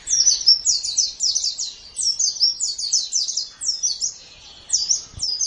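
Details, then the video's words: Bright, fast white-eye twittering in clustered phrases, a master recording for training caged birds, best used morning or evening. Short silent gaps separate the runs. "Masteran Terbaik Pleci Mata Putih"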